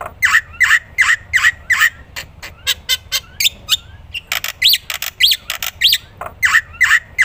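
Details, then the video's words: A black-winged myna sings actively, recorded to train other songbirds: a series of harsh nasal squawks repeated about every half second, then clicks and upslurred whistles, ending with more squawks. "burung masteran jalak putih gacor"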